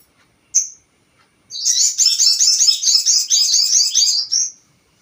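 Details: Crested jay lure call meant to provoke other birds: one sharp high chirp, then a sustained stream of rapid, high, warbling notes lasting about three seconds before ending on a drawn-out note.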